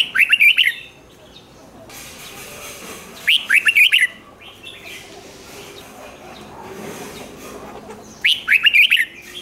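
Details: Red-whiskered bulbul, rik-style song used to stir up caged birds, giving three crisp phrases of tumbling, bubbly notes roughly every four seconds over quiet background hiss.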